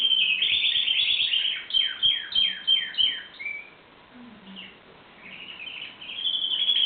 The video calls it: singing canary